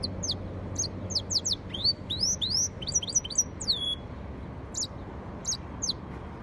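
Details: Hybrid of yellow-fronted canary and canary in song: sharp downward chips, then a series of rising slurred whistles, a brief trill and a sustained high note, followed by scattered single chips against a faint hum.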